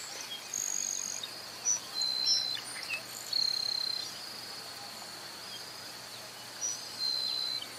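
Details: A Grassland Sparrow in the wild gives thin, very high whistled notes in short bursts, some slightly buzzy, over a steady shrill drone of insects.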